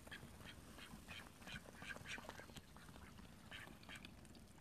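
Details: Call duck in a pool quacking in a steady series of short, nasal calls about every half second, partly masked by low rumbling background noise.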